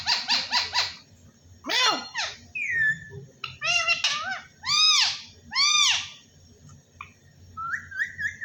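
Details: Talking parrot given as saying "Allah Hoo". It opens with a rapid series of sharp pulses, then gives arched harmonic syllables that rise and fall, repeated three times. A steady hummed whistle-like note ends the sequence.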